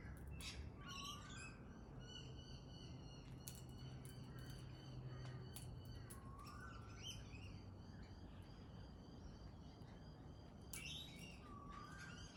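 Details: Pale-headed rosella calling, with bright, harmonic-rich chirps and squawky notes scattered through the clip, low rising whistles repeated several times, and steady low background rumble.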